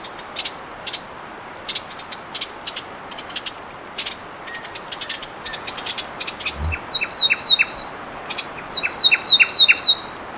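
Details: Fulvous wren: many dry, high clicking ticks in an irregular series, then two bursts of rapid, bright, downslurred notes, four or five to a phrase, near the end.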